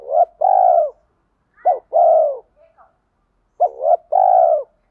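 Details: Deep-voiced 'thổ pha thúc' cooing from a spotted dove used as a lure to call wild doves in to fight. Three phrases about every two seconds, each a quick double note then a drawn-out steady coo, with a few faint chirps between.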